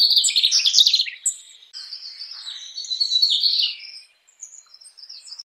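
Mugimaki Flycatcher giving a rapid, high, thin twittering of varied chirps and trills for about four seconds, then a few faint notes; no other sounds.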